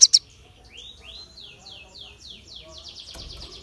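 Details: Crested jay calling sharply to provoke other birds: two sharp clicks, then a series of six downward-slurred whistled notes, each falling in pitch, followed by a quick high rattling chatter.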